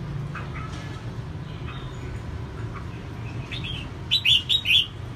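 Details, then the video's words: Female red-whiskered bulbul singing to stimulate males: faint scattered chirps early, then a loud burst of three quick warbled notes near the end, over a steady low hum. "CHÀO MÀO MÁI SIÊNG HOT KÍCH TRỐNG CĂNG LỬA"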